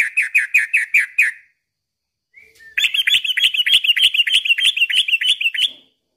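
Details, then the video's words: Sooty-headed bulbul singing vigorously, a recording used to attract and arouse other bulbuls: a quick series of ringing, evenly spaced whistled notes, a brief pause, then a longer, faster chattering run of higher, buzzy notes. "suara trucukan gacor ini ampuh bikin pancingan burung trucuk"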